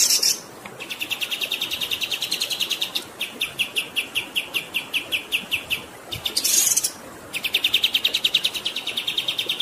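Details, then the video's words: Kapas tembak songbird performing a long rolling training song: rapid, evenly spaced high chips repeated in long runs, broken by brief harsh buzzy bursts. "MASTERAN KAPAS TEMBAK GACOR Ngerol Durasi Panjang"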